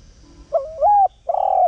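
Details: Spotted dove calling as a lure bird: a rising low coo followed by a longer level, slightly wavering hoot, clean and loud with little background.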